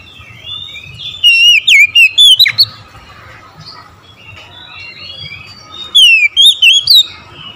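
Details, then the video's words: Oriental magpie-robin singing in the morning: loud bursts of sharp, wavering whistled notes sweeping up and down, given twice about four seconds apart, with softer chattering twitters between phrases. "OCEHAN KACER DI PAGI HARI"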